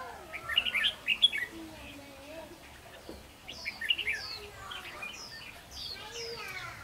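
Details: Red-whiskered bulbul kept as a decoy bird for trapping: bursts of bright chirpy warbled phrases, quick rising and falling notes, with other birds calling around it.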